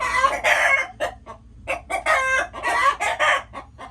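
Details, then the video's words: Chickens clucking and squawking loudly, long rough calls alternating with quick short clucks, a brief quiet spell midway, low hum underneath. "Chickens making noises"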